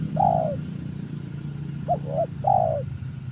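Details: Spotted dove cooing as a lure for trapping: a long, slightly falling mellow coo, then a quick two-note coo and another long drawn-out coo. A low rumble of background noise runs underneath.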